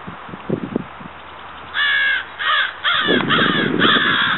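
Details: Florida crow (Corvus brachyrhynchos pascuus) starting after a few soft knocks with five harsh, raspy caws in quick succession, the later ones run together over a rustling noise.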